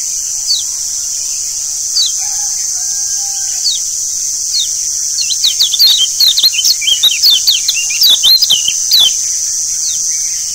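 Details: Lombok yellow white-eye (kecial kuning) lure recording for prompting birds to sing: a few sparse high chirps, then a busy burst of quick twittering notes from the middle onward, with a steady shrill buzzing hiss behind.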